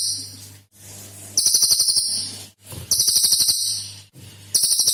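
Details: A senior cililin bird in full song, used as a lure recording to prompt other birds: short bursts of shrill rattling pulses, three bouts in five seconds, with a faint low electrical hum between them.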